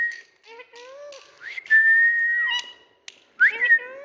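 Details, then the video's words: Indian pet parrot producing long, flat whistled notes that bend upward at the start, mixed with lower speech-like warbled syllables and brief pauses. "Parrot Beauty🥀Bird Indian🤍Tutu Love Talk"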